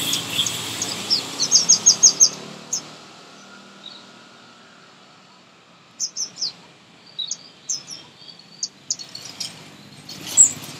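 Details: Sunbird, a common Indian bird, singing in a garden: a quick run of five sharp high notes, then scattered thin high chirps separated by pauses.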